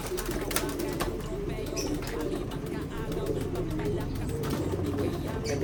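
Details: Domestic pigeons, paired with a bird from Japan, give a steady run of low, rumbling coos that overlap one another. A person talks quietly in the background.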